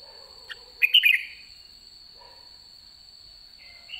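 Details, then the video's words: Red-whiskered bulbul kept in a cage at the end of the season gives one brief, liquid, warbling phrase, followed by quiet with a faint steady high tone. "Chào mào má trắng cuối vụ đã ché"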